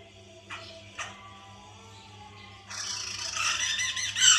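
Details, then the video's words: White-crested laughingthrush played to stimulate a caged bird to sing: two brief sharp notes, a quiet gap, then a rising surge of loud, harsh, chattering cackles that grows stronger toward the end, over a low hum. "pancingan Poksay mantel agar bunyi"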